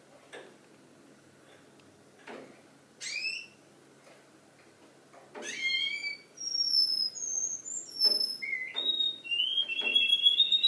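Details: Pet canary singing, imitating the songs of other birds. Soft clicks and taps open, then sharp downward-sweeping whistles, building into a steady run of high, clear whistled notes and short trills that shift pitch until the end.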